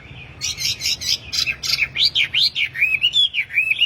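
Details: A wambi, tame and in full voice, offered as a master song for training caged wambi: dense, scratchy high chirps that give way to a string of bouncy, arching whistles, repeated without pause.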